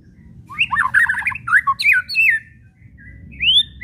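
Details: White-rumped shama whistling and chattering, kretekan style, intended to provoke shamas to sing: a fast jumble of warbled whistles, several looping phrases, then a short pause before one bright upward whistle.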